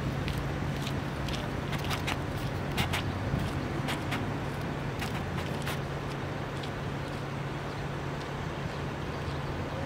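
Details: Steady urban road traffic in Ljubljana, Slovenia, with a low engine hum and scattered sharp clicks; no animal calls stand out.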